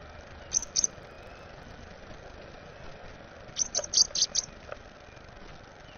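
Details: High, thin squeaks from an American robin chick being fed, a short pair and then a quick burst of four or five, over a steady background hiss.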